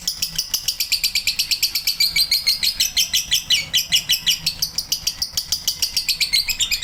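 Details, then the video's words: Male lovebird in sustained chatter, a fast unbroken string of sharp, high, scratchy chirps repeated several times a second for the whole stretch. "love bird jantan durasi"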